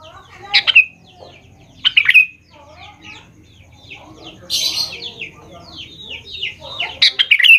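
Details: Lure song of a sooty-headed bulbul, meant to make young birds reply: bubbly whistled phrases ending in a downslur, mixed with a busier stretch of softer twittering and chirps, low hum beneath.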